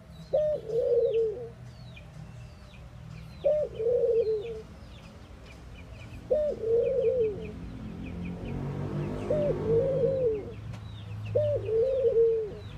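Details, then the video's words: Mourning doves cooing, each low, hollow coo starting with a quick rise and sliding gently down, repeated about every three seconds, with a rushing noise midway and thin high bird chirps behind. "Mourning Doves Make Noise"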